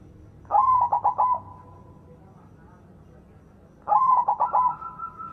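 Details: Active, loud-voiced white zebra dove used to lure non-singing doves into song; two fast cooing phrases of clipped notes, roughly three and a half seconds apart, the second ending on a higher held note.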